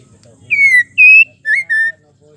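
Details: Female white-rumped shama in breeding condition calling the male: four clear whistled notes, the first two long and slightly falling, the last two shorter and lower, in quiet surroundings.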